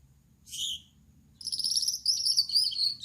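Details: Male Gouldian finch, yellow-backed with red head and white chest, singing at night: one short high buzzy note, a pause, then a continuous thin, rapid warbling of high squeaky and buzzy notes, with a faint low hum behind.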